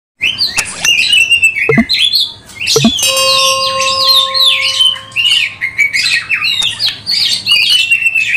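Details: Oriental magpie-robin in full song, described as spreading its tail and meant as a lure for other magpie-robins: loud, varied whistled and chattering phrases in rapid succession, with steady tones and a couple of low knocks partway through.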